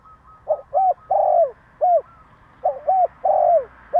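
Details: Repeated provoking call of a spotted dove: two four-note phrases in quick succession, each a soft lead-in, arched hoot, prolonged rolling coo and closing downward coo, with a third phrase beginning at the end.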